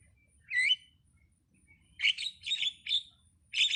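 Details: Starling giving one rising whistled note, then after a pause a rapid cluster of four rough, buzzy chirps and a final harsh burst.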